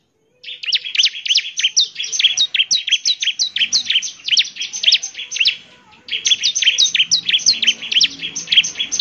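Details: Energetic bar-winged prinia song for prompting answers from other prinias: long unbroken streams of fast, sharp, high chirps, a short break near six seconds, then the rapid chatter resumes.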